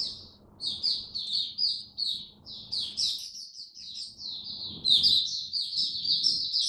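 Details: Caged oriental white-eye, kept on an adjusted diet during cold rainy weather, singing a rapid, high-pitched twittering run of short chirps and slurred notes, nearly continuous with brief pauses, over a faint low indoor hum.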